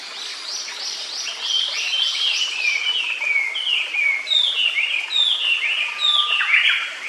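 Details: Japanese paradise flycatcher singing by its nest in quiet woodland beside a stream: short sliding whistles, each dropping in pitch, repeated in a long rhythmic string, with a faint steady tone at the end.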